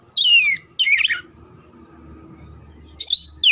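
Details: An Oriental magpie-robin (kacer) sings loud, sweeping whistled phrases that fall from high to mid pitch, in four bursts separated by a quiet gap, used to train birds for song competitions.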